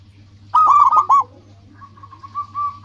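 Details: Local zebra dove singing as a lure for rival birds: one short, loud phrase of rapid soft coos followed by a fainter, steadier cooing run in the background over a low hum.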